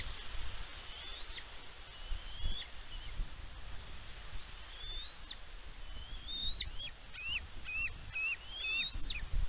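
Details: Bald eagle at a nest on Catalina Island, California, USA, filmed by a nest camera on 16 May 2022. Faint rising whistles at first, then a quickening burst of short clipped notes with sharp downward ends, amid wind noise.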